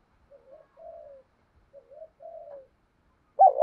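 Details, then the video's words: Decoy spotted dove cooing to provoke wild rival birds, in the 'giọng thổ' voice style. Soft, low two-part coos repeat twice, each a short note then a longer falling one, followed by a sudden loud burst at the end. "Chim Cu Mồi Tiếng Kích Hiệu Quả- cu gù đấu với bổi"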